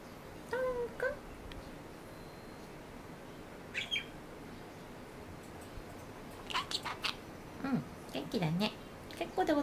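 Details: Talking parakeet let out to fly in a small room, exchanging conversation-like chatter with its owner; a short tonal, voice-like phrase opens, followed by scratchy clicks and rapid chattering bursts mixed with the owner's spoken words.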